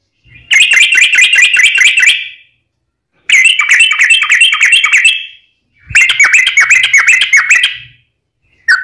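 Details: Long rapid trills of a yellow-vented bulbul in fighting song, a lure to make other bulbuls answer: three dense chattering bursts, each about two seconds long, separated by short silences.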